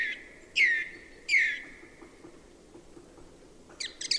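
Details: Song thrush singing: two matching loud, rich phrases about 0.7 seconds apart, each a sharp upward note settling into a drawn-out tone, then a brief cluster of high, scratchy notes after a pause. Faint low background murmur.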